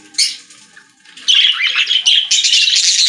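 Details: Pet-store budgerigars singing: a sharp squawk, then a loud continuous scratchy warble with buzzy, raspy notes running on for nearly two seconds.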